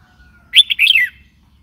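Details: Red-whiskered bulbul producing one brief rippling phrase of several slurred whistled notes, falling at the end, with a faint steady tone before it.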